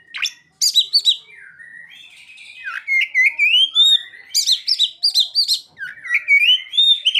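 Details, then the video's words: Fast, varied Oriental magpie-robin song mixing mimicked ciblek and sogon phrases: high sharp clicks and chirps, long gliding whistles, and dense rapid trills in almost continuous delivery. "Kacer isian burung ciblek dan sogon"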